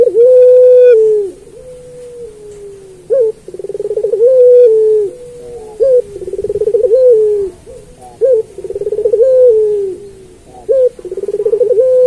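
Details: Turtle dove of the puter pelung type, singing as a training master for other doves. A long level coo opens, and then shorter coos, each led by a stuttering run of pulses, follow one after another about every two seconds.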